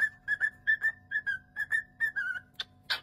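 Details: Talking pet cockatiel whistling a string of clear mid-pitched notes, some slurred down, about two per second, with two sharp bright squeaks at the end and a steady low electrical hum behind.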